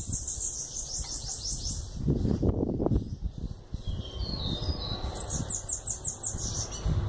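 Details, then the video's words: Eleven-month-old bananaquit: bursts of quick, high, descending buzzy notes at the start and end, a few thin whistles between, with a loud low clatter in the middle. "Sibite filhote com 11 meses dando Chow"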